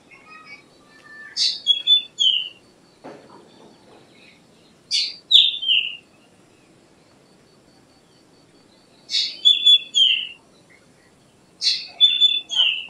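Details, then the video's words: Black drongo (Dicrurus macrocercus) giving four bursts of sharp, high notes, each opening with clicks and ending in quick downward-sliding whistles, spaced roughly three to four seconds apart over a faint low background hum. "Black Drongo Song ! Black Drongo Call ! Black Drongo Sound ! Black Drongo Vocals ! Voice ! Singing"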